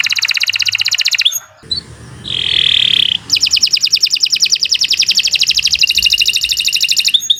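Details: Canary song of long, fast rattling trills broken by a brief buzzy sustained note, with faint low background hum throughout.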